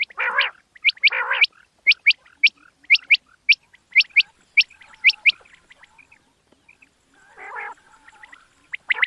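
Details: Quail calling at night, recorded for hunting: sharp, high chirps repeated about once a second, with harsher, lower squawky bursts at the start and again near the end.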